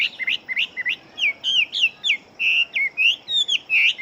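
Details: A large fighting Chinese hwamei sings rapid, rich whistles: short rising slurs at first, then longer bright whistled notes bending up and down, spaced by brief gaps throughout.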